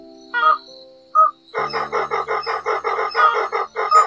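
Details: White-breasted waterhen (Amaurornis phoenicurus) flock call used to lure birds into night nets during March migration: two short nasal notes, then a fast run of harsh, croaking 'khek' notes several times a second over a steady low hum.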